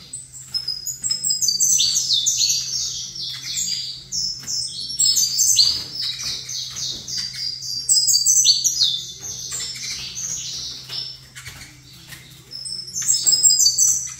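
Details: Extended singing from a saffron finch placed facing another saffron finch: repeated fast phrases of sharp, high, stepwise chirps, separated by short silences, roughly three notes a second, above a continuous low hum.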